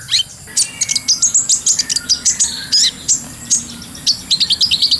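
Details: Brown-throated sunbird in full ngobra masteran song; continuous rapid high-pitched chips and thin slurred notes in close succession, loud and bright, with short pauses between bursts.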